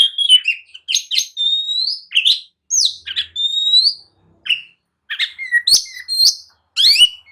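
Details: Agitated oriental magpie-robin, provoking others to respond and fight, delivering separate phrases of clear rising whistles and scratchy chatters with short silences between them.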